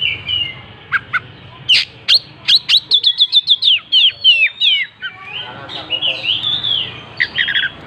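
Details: Oriental magpie-robin in gacor song with its tail opened: sharp single notes build into a fast string of repeated high chirps and falling slurs, then warbling, varied phrases.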